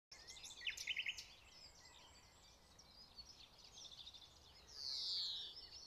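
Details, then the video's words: A common nightingale sings at RSPB Pulborough Brooks: a quick burst of repeated chattering notes, then a swelling high whistle, over steady background hiss. "Nightingale Singing"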